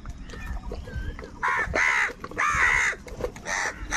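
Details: Crows fighting for food, calling in anger: faint distant calls at first, then three loud harsh caws spaced about a second apart, each a broad rasping note, over steady low background noise.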